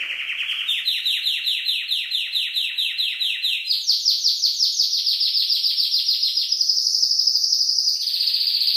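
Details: Canary song: a long series of crisp rapidly repeated notes, about three a second, delivered in tours that step up in pitch and then settle into a faster high trill.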